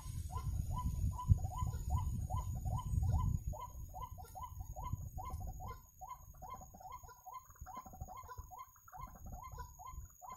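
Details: White-breasted waterhen calling during bird trapping: a steady series of hollow, clipped notes repeated about four times a second. A low rumbling noise fills the first six seconds, then fades.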